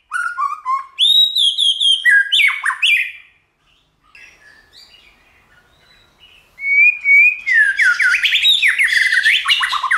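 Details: White-rumped shama song meant to stir other shamas into singing: clear whistled phrases and sharp notes, a quiet pause, then a rapid burst of rising and falling whistles.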